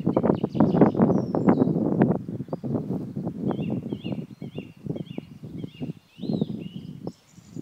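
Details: Black grouse in the eastern Ore Mountains (Krušné hory), Czech Republic, on 2 April 2016, giving a low, rapid bubbling run of pulses for about five seconds, with thin whistled notes from other songbirds high above.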